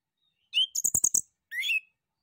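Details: A male Orange-headed Thrush gives a brief, high whistled note, a quick run of sharp chattering notes, then a second sliding whistle; no other sounds intrude.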